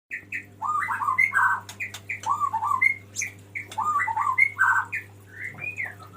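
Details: Male white-rumped shama (murai batu) calling the female: a lively song of short whistled and slurred notes, some rising and some falling, delivered in quick bursts, over a steady low electrical hum.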